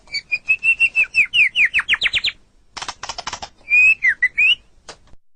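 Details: White-rumped shama (murai batu) tutor song for caged birds: a quickening series of clear whistles that slide upward, then a brief dry rattling burst, followed by three or four more looping whistled notes.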